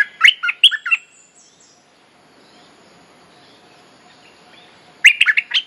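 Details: Mating-call lure of the nok dok taeng bulbul (merbah lekir) for teaching young birds: a quick phrase of five bright slurred whistles, nearly four seconds of quiet hum, then the phrase starts again.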